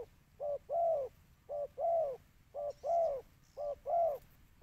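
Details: Spotted dove calling to lure birds, with loud paired coos, a short low note and then a long arching one, repeated at an even pace with faint high chirps in the background.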